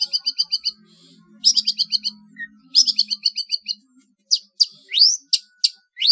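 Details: Long-tailed shrike song for competition-bird training: rapid runs of clear repeated pipping notes, about eight per second, then sharp rising whistled sweeps and harsh ticks. A faint low hum is behind.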